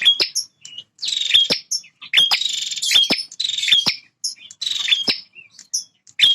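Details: Territorial male bar-winged prinia singing continuously: rapid chains of buzzy, scratchy notes threaded with high whistled tones, the phrases following one another almost without pause.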